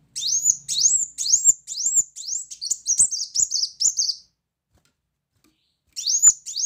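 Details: A brown-throated sunbird sings in the loud 'tembakan' style: a steady run of sharp, upward-flicked high chirps, about two per second, then silence and a couple more bright notes.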